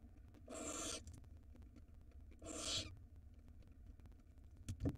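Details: Barn owl pair at an Israeli nest box, eggs laid February 2022, with a big rodent present; two noisy, airy screech-hisses about a second apart, then a brief knock at the end over constant hum.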